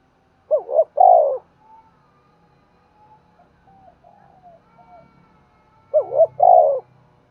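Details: Decoy spotted dove cooing hard to attract and pull in wild birds. Two strong, low, husky coo phrases five seconds apart, with soft, thin cooing notes in between.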